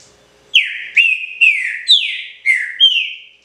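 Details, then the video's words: Six loud, ringing whistled phrases from a green-winged saltator, locally called trinca-ferro, in a pixarro song. Each phrase opens sharply and slurs downward, spaced roughly half a second apart. "TRINCA-FERRO PRECIOSO (PIXARRO ORIGINAL)"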